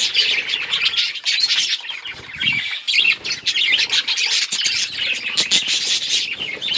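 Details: Constant chirping and squawky warbling from a group of budgerigars, dense and overlapping, with a short wing flutter and a low soft thump partway through.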